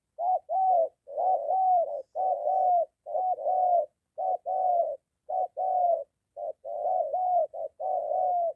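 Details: Spotted dove near a home in Gia Lai, Vietnam, with a molting decoy bird meeting a wild dove. Low, hooting coos in short-long pairs about once a second, each note slightly rising then falling, with brief gaps between phrases.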